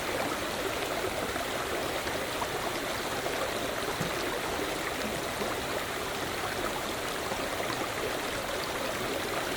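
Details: Continuous gurgling flow of a stream with constant broadband rushing noise and no animal voices audible.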